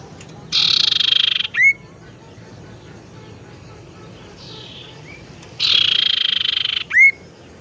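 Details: Tailorbird 'teras' lure call, used for luring and for coaxing reluctant caged birds to sing: a dry buzzy trill ending in a sharp upslurred whistle, given twice about five seconds apart, with a softer buzz between.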